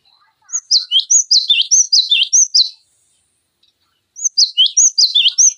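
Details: Cinereous tit in lively song, used as a tutor recording for training magpie-robins, green leafbirds and other songbirds: bright, high whistled notes with quick downslurs, delivered in a rapid burst, a pause, then another run.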